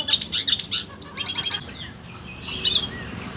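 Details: Red siskin tutor song used for training contest birds: a fast, high, chattering run of sharp chirps and trills lasting about a second and a half, then a quieter pause and one brief high burst near the end.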